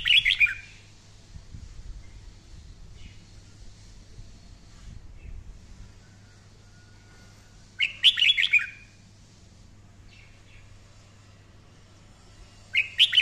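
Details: Red-whiskered bulbul singing training phrases in the intense 'căng lửa' manner: three loud bursts of fast, chattering warbles roughly every five to six seconds, separated by quiet stretches with faint hum.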